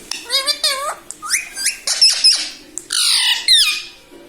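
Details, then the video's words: Pet talking parrot indoors saying mummy papa: piping wavering syllables, upward-sliding whistles, then a loud harsh squawk burst and a falling final call, all very high-pitched. "Mummy pappa talking parrot🦜🦜 || mithu hu mithu || मम्मी पापा बोलने वाला तोता"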